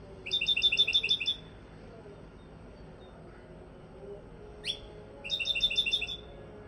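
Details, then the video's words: Goldfinch singing, a song meant for teaching; two quick bursts of bright, rapidly repeated twittering notes, each about a second long, with a single sharp downslurred call between them over a low steady hum. "goldfinch singing"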